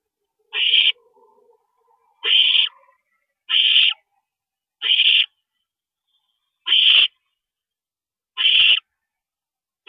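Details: Night-time nest visit by a parent owl, April 22, 2012, 2:40 AM: six harsh, hissing rasps, each about a third of a second, repeated roughly every one to two seconds with quiet between.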